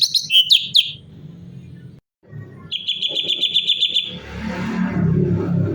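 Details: Natural varied song of a cucak cungkok bulbul, meant as a tutor recording for other cage birds: a few sharp whistled notes, a pause, then a fast, even chattering trill, ending in broadband rustling noise.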